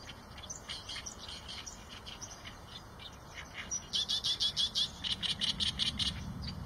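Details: Eurasian tree sparrow calls, loose high chirps at first, then a fast, evenly spaced series of loud clipped chirps near the end, over a low background rumble.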